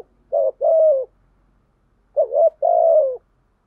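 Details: Decoy spotted dove calling to provoke rival doves: two coo phrases, each a short wavering rising note followed by a longer, steady, slightly falling hum, separated by about a second of silence; quiet background.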